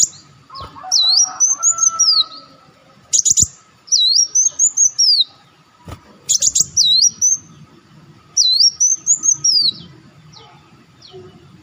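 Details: Lure recording of an olive-backed sunbird: arching high whistles and quick chips in repeated phrases, interrupted twice by brief rattling buzzes, with low faint noise below.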